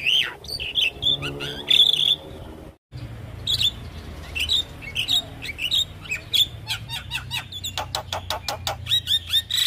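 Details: Busy, varied Javan myna song for luring other mynas: harsh squawks and clear whistled notes repeated in quick succession, a brief break, then dense clicking and chirping phrases.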